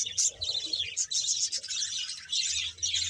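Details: Around 100 pairs of budgerigars in a Bahawalpur colony, producing overlapping high twittering and sharp chirps that rise and fall in bursts, the chorus briefly dipping between louder waves.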